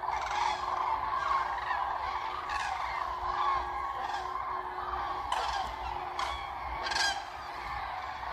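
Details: Large gathering of common cranes on coastal meadows near Ribnitz on the German Baltic, some taking flight as cows are fed; continuous distant trumpeting chorus with a faint steady hum and several sharp nearby rattles.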